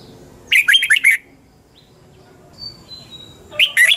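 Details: Red-whiskered bulbul morning song in the double-twist style, meant as a lure recording for training other birds: a rolling phrase of four or five bright, bouncing notes, a quiet gap with faint thin whistles, then the phrase begins again.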